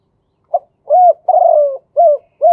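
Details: Kuu-ang style song of a male spotted dove, ending in two kuk notes: short soft opener, arched mellow coo, extended buzzy downward coo, and two brief rounded coos. No background noise.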